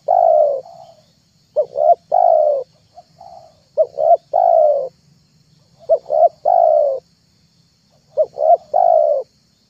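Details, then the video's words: Spotted dove lure call, used to attract wild, young and silent doves: three cooing phrases in about ten seconds. Each opens with two or three short clipped notes, then ends in a long, slightly falling coo, over a faint steady background hum. "MP3 TEKUKUR PIKAT TERHITZ DI AKHIR TAHUN 2022,,pikat tekukur"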